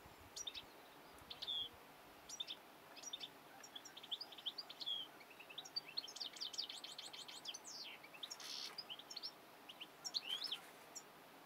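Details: European goldfinch singing a rapid, high twittering run of short chirps, slurred whistles and brief buzzy notes, with a quick series of evenly repeated notes near the middle, over faint steady background hiss.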